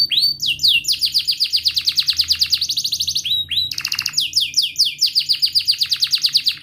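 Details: Canary in full continuous song for training a non-singing canary: loud rapid series of downslurred notes, a short whistle, then a dense buzzy roll and more quick swept chirps.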